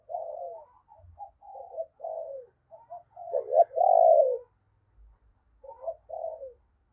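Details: Spotted dove used as a morning decoy, cooing to draw in wild birds: a run of short, low coos that builds to a loud, sustained rolling coo, followed by a pause and a few softer notes. Faint low thumps.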